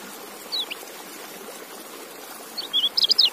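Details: A faint high chirp early on, then a short, quick white-eye twitter of sliding high notes near the end over a steady background hiss.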